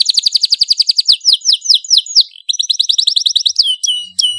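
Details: Canary with a loud, lively song used as a tutor for young birds: a rapid bright trill slowing into distinct downslurred whistles, a short break, then another fast trill and a few sharp high notes.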